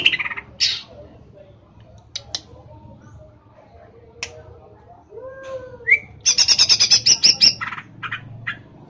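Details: A caged greater green leafbird in Pemalang, Central Java, Indonesia, sings a varied medley: scratchy high bursts, a rising whistle, then a fast run of about a dozen sharp, high chips; finding: Greater green leafbird.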